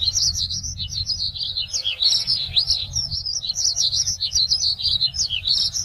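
A Eurasian skylark pours out a continuous, high, rapid warbling stream of chirps and trills without pause, over a faint low rumble.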